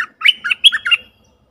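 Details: A bulbul decoy call used to lure wild birds gives four quick, bubbly, chattering phrases in about one second. The notes are slightly harsh and warble up and down. Nothing else is heard.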